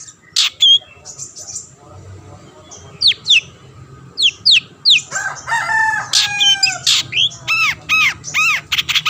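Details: Long-tailed shrike, singing to draw rivals into song, delivers sharp downslurred whistles and quavering mimic-like phrases, then a dense run of rapid harsh notes and clipped whistles.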